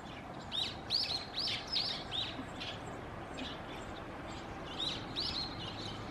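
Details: A brown-eared bulbul in Japan (Tohoku) gives a quick run of shrill, arched, squeaky notes in two bursts, against a steady hiss of background noise.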